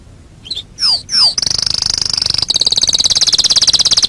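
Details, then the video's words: Canary master song meant for training birds: a few short chirps and two sharp downward sweeps, then a long, fast, high-pitched rolling trill that grows louder. "Masteran Suara Kenari"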